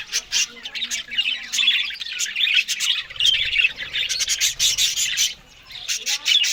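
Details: Australian budgerigars at a morning meal of green food: pulsing, scratchy warbles and high chirps in short bursts, with a low murmur beneath midway through.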